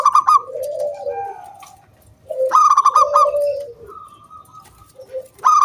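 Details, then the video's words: Local zebra dove singing energetically as a lure to set other doves singing, a clear kung bulat style song: bright trilled bursts near one pitch alternating with lower, mellow cooing phrases, repeated every few seconds in a quiet setting. "BURUNG PERKUTUT GACOR MANGGUNG"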